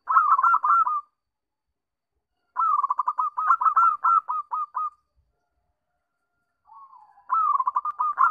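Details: Perkutut, the zebra dove, singing a lure recording meant to set other doves singing: three bursts of quick, clipped cooing notes, each phrase about a second or more long, with silent gaps and a faint coo before the last.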